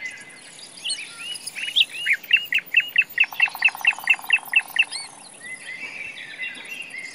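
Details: Common nightingale in a forest delivering a rapid run of about a dozen sharp, evenly spaced notes that swell and fade, with a low buzzy rattle beneath and other birds chirping nearby.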